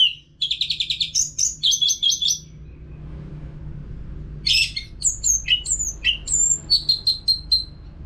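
Orange-headed thrush singing a fast, varied song of rapid trilled bursts and high whistled phrases, pausing after about two and a half seconds, over a faint low hum.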